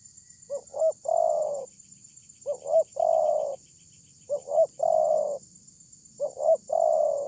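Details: A loud spotted dove used as a lure to call other doves in. It gives four even phrases of a short double coo and a long, gently descending coo, spaced about two seconds apart, over a steady high hiss.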